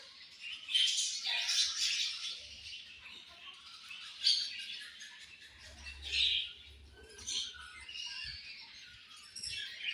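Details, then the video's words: Budgies chirping at a distance: softer, scattered high warbles and squeaky notes over a faint low hum. "Very Charming Colorful Beautiful Budgies Chirping Sounds"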